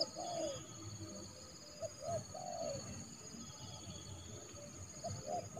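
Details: Trained decoy spotted dove used to lure a rival into the yard for trapping in January. Soft low coos, one falling phrase and then scattered short notes, over constant high-pitched drones and low rumbling background.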